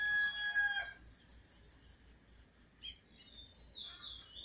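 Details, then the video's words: Young Trinidad chestnut-bellied seed finch (bullfinch), a brown bird now starting to sing alone, gives thin, high, sweet whistled notes in short slurred bursts, faint against a crowing rooster at the start; 7 November 2019. "Brown bird now start voicing a bringing teeture alone"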